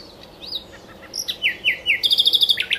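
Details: Nightingale song recorded at Cowpen Bewley, 2012: soft rising whistles, then three slurred downward notes and a fast, ringing rattle of repeated high clicks at the phrase end.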